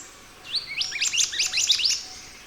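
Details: Scarlet minivet singing constantly as a master recording for other birds: after a brief pause, a fast cascade of sharp, high, downslurred chirps lasting about one and a half seconds, then quiet.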